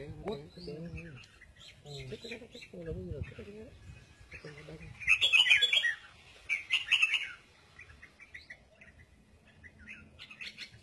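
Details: Red-whiskered bulbul in double-voiced giọng kép song. A man's speech fills the opening seconds, then two loud, rapid warbled and chirped phrases follow, trailing into quieter scattered notes.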